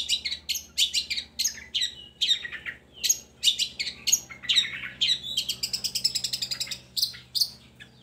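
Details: Long-tailed shrike song aimed at getting lazy shrikes to sing: a long, varied babble of sharp chips and squeaky notes that speeds into a rapid high trill near the end.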